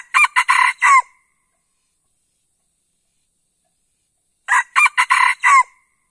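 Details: Two crows of a red junglefowl about four seconds apart. Each is a quick, choppy burst of five hoarse notes ending in a drawn-out syllable, from a lure recording played to provoke replies from forest birds. No other sounds are present.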